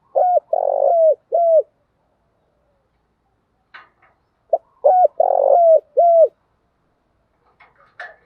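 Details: Female spotted dove decoy cooing used to provoke males, a full set of calls: two low cooing phrases, each of short coos, a longer rolling coo and a final coo, separated by a silent pause.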